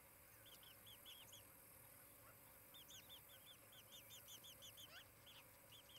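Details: Osprey on a nest near Charlo, Montana, on a nest cam on a July 2018 morning: faint, distant run of quick arched cheeps, several per second, over steady background hiss.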